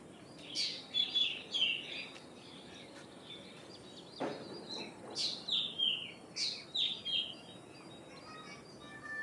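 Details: Common myna calling: three bursts of phrases, each a sharp rasping note followed by thin, level whistles and a downward-slurred ending, separated by quiet gaps. One low thud midway, with steady faint background hiss.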